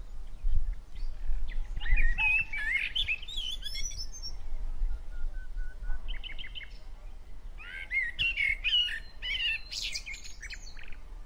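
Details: Bird giving lively twittering phrases of rapid chirps and warbled whistles, broken by brief pauses and a short clear tone, then renewed bursts of jumbled high notes, with a steady low hum beneath.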